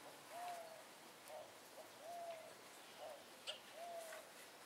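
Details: Songbird singing in the morning at Capilla del Monte, Córdoba, Argentina, where it woke the household every day; three clear, mid-pitched whistled notes, each gently arched and level, repeated about every one and a half seconds over faint background hiss.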